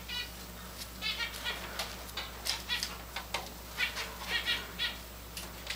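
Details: Hand-fed tame Java finches in grey and white colour forms giving a quick run of soft, repeated chirps amid clicks and light wing flutters.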